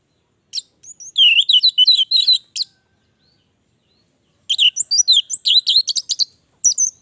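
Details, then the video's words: Orange-headed thrush in full vigorous song, two bursts of quick, high, mimic-like twittering notes strung together rapidly, separated by about two seconds of silence. "Anis merah gacor durasi panjang"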